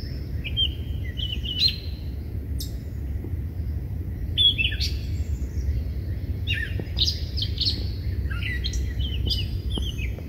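Catbird giving a jumbled run of short squeaky, scratchy and slurred notes in quick irregular bursts, over a steady low background rumble.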